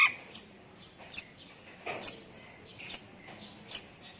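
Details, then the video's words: Long-tailed shrike with lovebird-filled song: single sharp, high, downward-sweeping chirps repeated steadily about every 0.8 seconds, each with a softer lower note just before it. "BURUNG CENDET ISIAN LOVEBIRD - MASTERAN BURUNG CENDET TEMBAKAN"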